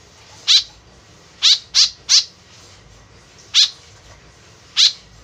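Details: Repeated harsh calls of a white-breasted woodswallow, used for luring: an isolated rasp, a rapid run of three, then two more spaced notes, with quiet hiss behind.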